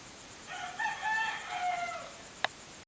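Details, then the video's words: Rooster giving one drawn-out crow of about one and a half seconds, harsh and rich in harmonics and ending in a falling note, followed by a sharp knock. A dog also barks in the recording, and the noise woke the recordist on holiday. "crawling rooster"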